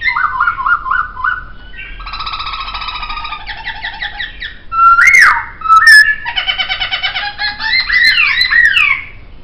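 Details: Laughingthrush master-track song: quick repeated dipping whistles, then buzzy harmonic trills, two loud slurred notes, and a tumbling finish of swooping whistled phrases.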